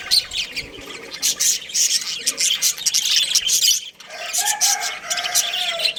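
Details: Budgerigars, a breeding pair with their family, give dense, scratchy warbling chatter with quick high chirps and squawks, continuous and overlapping, with a brief pause near the middle followed by lower nasal notes.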